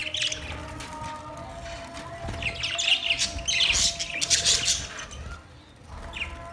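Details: Budgerigar chirping in short scratchy bursts and warbled notes, separated by quieter gaps, over a low steady hum.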